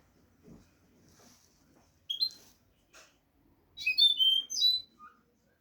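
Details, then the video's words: European goldfinch singing a tutor phrase for young goldfinches: scattered soft chips and rustles, a sharp chirp, then a loud tinkling, twittering run of bright whistled notes with a final lower note. "audio pará educar a los jilgueros sin errores |كيفية تعليم طيور الحسون نظيفة بدون عيوب"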